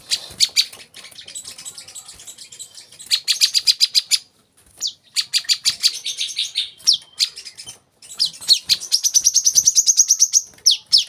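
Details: Olive-backed sunbird song meant for training young caged birds to sing: bursts of rapid high trills and chattering notes, some fast buzzy runs repeated several times a second, broken by short pauses.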